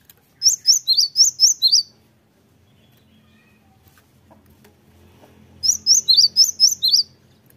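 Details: Cinereous Tit lure song played to provoke other birds to answer. Two phrases of about six high, sharp rising notes each, separated by a quiet gap of nearly four seconds with faint low noise.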